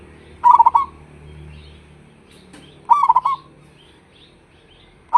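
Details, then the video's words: Local zebra dove with a strong voice, its call played as a lure to make other doves reply; two rolling, stuttered coos spaced about two and a half seconds apart, a third starting at the end, faint low hum beneath. "pancingan suara perkutut lokal,suara besar auto nyaut"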